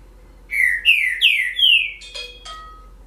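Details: Green-winged saltator (trinca-ferro) singing in the 'relâmpago' style: four loud, clear whistled phrases, each sliding downward and closely spaced, followed by two shorter, harsher burry notes. Background is quiet.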